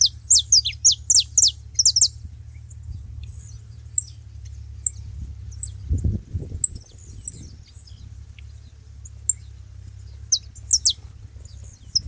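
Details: Saffron finches gathered at a bait feeding spot: an opening two-second flurry of rapid high downslurred chirps, then mostly quiet with scattered faint ticks and a low thud.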